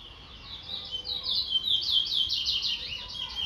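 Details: Guyanese chestnut-bellied seed finch, called towa towa, giving a bright, fast, twittering song of looping whistled notes. The delivery is continuous and varied, with volume swelling and dipping, in otherwise quiet surroundings.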